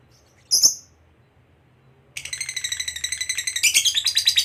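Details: A fighter lovebird's provoking 'ngekek': one sharp squeaky chirp, a second of silence, then a rapid buzzy chatter of repeated pulses that builds in loudness over the last two seconds.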